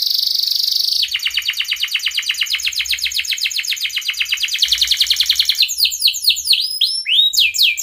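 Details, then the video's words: Canary in breeding condition calling a rival, a lure for young canaries learning to sing: a steady high buzz, then a long fast pulsing trill, ending in quick rising whistled sweeps. "Kenari gacor Cuit Cuit ngeroL BIRAHI memanggil LAWAN,pancingan Kenari paud belajar bunyi Cepat gacor"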